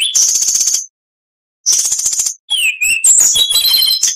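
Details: Oriental magpie-robin (kacer) song for training other birds: loud, rapid bursts of high chattering notes near the top of its range, a pause, then a varied phrase with a descending whistled slur and buzzy trills.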